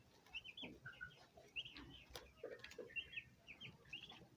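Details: Fluffy turkey poults chirp in quick, uneven bursts of thin, high peeps, several calls overlapping, with faint scuffling underneath.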